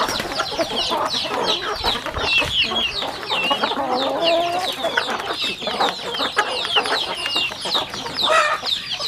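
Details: Chickens at a rural home eating, with bright, falling peeps from many birds at once, a few lower warbling notes midway, and sharp beak clicks throughout.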